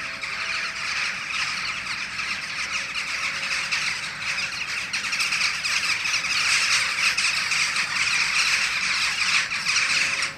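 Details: A flock of jackdaws in a tree before the setting full moon chatters nonstop with overlapping sharp, squeaky 'tchack' calls about twice a second over a faint traffic hum.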